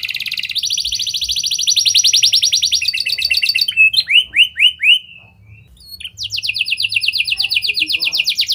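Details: Domestic canary singing in lovebird and prenjak style, played to get other canaries singing long; a sustained high rolling trill, a few descending whistled swoops, a short lull, then another fast trill.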